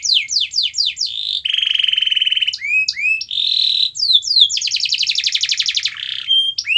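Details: Lure song of a canary for a bird that will not sing: varied, nonstop tours of sharp falling whistles, flat buzzing trills and curved slurs, changing pattern every second or two.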